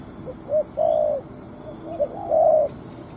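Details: Spotted dove acting as a decoy during trapping, a couple of soft short coos each followed by a longer, louder coo, with hiss in the background.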